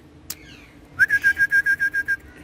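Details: Pet green ringneck parrot on a wall giving one long steady whistle that pulses rapidly into about nine even beats, held for over a second after a brief click.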